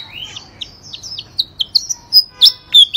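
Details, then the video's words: Brief burst of high twittering and slurred whistles, ending in loud piercing notes repeated roughly every third of a second, from a contest songbird that sings without stopping. "Burung Gacor Tanpa Henti Berkicau"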